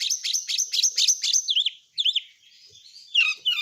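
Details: Oriental magpie-robin, a caged kacer, singing quickly: a run of sharp repeated chips at about two per second, then looping whistled warbles and brief high chatter, delivered without pause.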